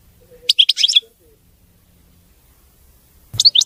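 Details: European goldfinch singing a song described as clean and free of errors: a brief burst of quick, high twittering notes, a long pause, then another short twittering phrase at the end.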